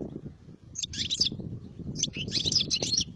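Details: European goldfinch singing two bursts of bright, tinkling twitters and trills, separated by a short pause, over a low background rumble.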